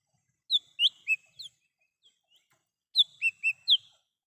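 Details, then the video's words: Bright high whistles from a lesser green leafbird in the wild, a sound used as a lure: two quick phrases of four notes each, crisp and evenly spaced, in otherwise quiet surroundings. "Suara asli cucak hijau mini / cucak Rante di alam liar bisa untuk pancingan dan panggilan"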